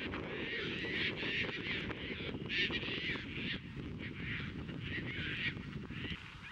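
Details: Caspian terns in courtship at Montrose Beach, Chicago, on 22 April 2024, catching fish and offering them to potential mates. Harsh, rasping calls repeat rapidly and overlap throughout, over steady low wind rumble.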